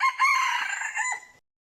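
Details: Crow of a decoy red junglefowl, used in trapping, caught already underway: a broken start, then a sustained, harmonic, gradually weakening call of just over a second that tails off quietly.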